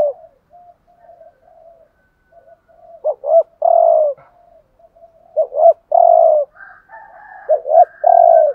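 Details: Decoy spotted dove performing thúc gù coos: faint murmuring at first, then three clear phrases of two short stuttered notes and a sustained deep coo, with a slightly higher note before the last phrase.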